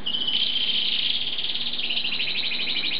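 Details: Asian pied starling song fragment: a sustained high buzzy trill that warbles steadily and brightens near the end, over a faint low hum.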